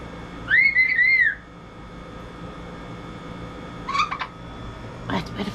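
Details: Pet double yellow-headed amazon parrot, rescued after 36 years caged, reacting to peaches indoors. It gives a clear, wavy whistled phrase, then brief chirpy squawks, over constant household hum.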